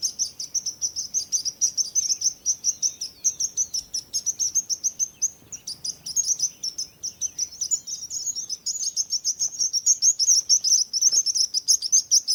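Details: Birds chirping in a fast, busy chatter of high sharp notes, many per second, growing louder toward the end.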